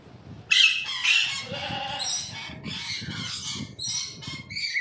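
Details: An adult male yellow-bibbed lory gives harsh, raspy screeches in a quick run of five or six bursts, high and grating, with a faint low background rumble.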